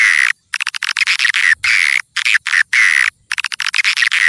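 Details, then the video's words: Passing-flight lure sound for attracting swiftlets: chattering, rattling trains of sharp chirps in bursts with short gaps between them, a faint low thump in the background. "Suara Walet Pikat Lintasan"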